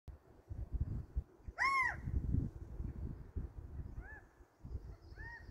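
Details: A lone California quail, walking, gives one loud, arched, nasal call with rich overtones, followed by two fainter, shorter calls a few seconds apart, over steady low rumbling background noise.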